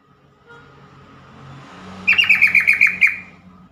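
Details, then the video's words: ['A yellow-vented bulbul gives one fast burst of roughly nine clipped, bubbly notes over a faint background hum.'] "trucukan call"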